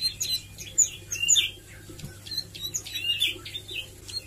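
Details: Plain Prinia (ciblek sawah) learning song and 'nembak' shots, here a jumble of varied thin squeaks, slurred chirps and high twitters, irregular and continuous, with a steady faint hum beneath.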